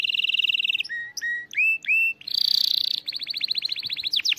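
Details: Canary song made to teach young birds: a steady buzzy trill, short flat whistles, rising swooping notes, a harsh rapid rattle, then quick repeated chirps ending in steep sweeps.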